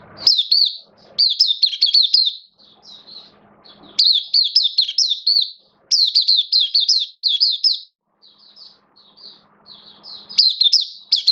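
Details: Hobby-kept oriental white-eye (mata puteh) giving its opening song (buka sing), 11 September 2022, slightly off form: lively high-pitched chattering phrases of quick wavering notes in repeated bursts, with quiet gaps and soft background hum.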